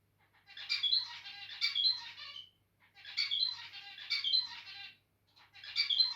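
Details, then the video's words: Zebra finch singing while acting a little territorial: two-second phrases of buzzy, nasal, harmonic-rich notes with bright chirps, repeated after brief pauses, three phrases in all, with quiet background hum. "Territorial Birb Today (Makes Cute Noises Near The End) Zebra Finches"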